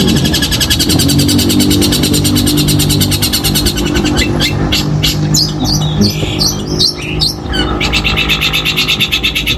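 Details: Long-tailed shrike (cendet), a trained competition songbird singing energetically with harsh rapid 'nembak' bursts: dense fast trills and chirps repeated about three per second, shifting into varied sharp whistled notes, over a steady low rumbling hum.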